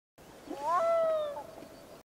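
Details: A Black-throated Loon (Gavia arctica) gives one low-pitched, drawn-out wail, a mellow tone that lifts briefly and then slides gently down over about a second, against faint hiss.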